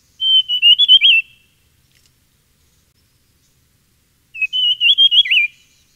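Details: Dusky fulvetta (Alcippe brunnea brunnea) giving two quick, high, warbled phrases of about a second each, separated by a three-second pause; nothing else heard.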